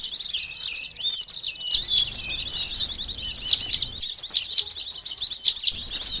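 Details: Sunbird song used as a lure sound for catching birds: a dense, rapid stream of thin, high-pitched twittering and sweeping chirps, almost unbroken apart from a short pause near the start, with a faint low rumble underneath.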